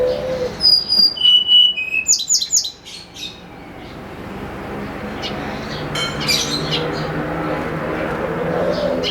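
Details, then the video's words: Snowy-browed flycatcher singing in the morning, used as a lure recording: a run of clear, high whistled notes stepping downward, followed by quick chirpy phrases, then the song fades into steady background noise with faint distant chirps. "SUARA BURUNG TLEDEKAN GUNUNG GACOR"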